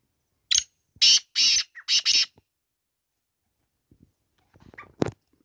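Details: Grating call of a black francolin (kala teetar): a brief first note and four loud, buzzy, rasping notes in a quick rhythmic burst, then quiet before a few faint rustles and a final short sharp sound.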